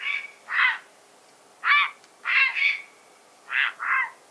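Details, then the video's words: Grey heron giving harsh, hoarse croaks, mostly in quick pairs, six calls in about four seconds over a quiet background. "Grey Heron (Ardea cinerea) - Calls"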